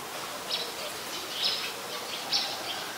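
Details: A brown-throated sunbird in Ubon Ratchathani, Thailand, on 13 January 2021 gives three short, sharp, high chirps about once a second over a steady background hiss.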